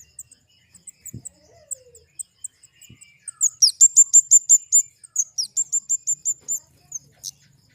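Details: Flowerpecker (kemade) song: very high, thin ticking notes, then a loud fast series of sharp chips repeated about three per second, with a second rapid run following.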